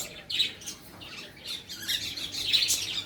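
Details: Small birds chattering as they are fed: thin, high chirps and tweets rising and falling in loose clusters over a faint low hum.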